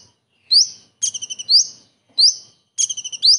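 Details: A common iora mimicking a kingfisher in its song. Sharp upslurred whistles are interspersed with short rattled note strings, all given in crisp, high-pitched bursts separated by brief silences.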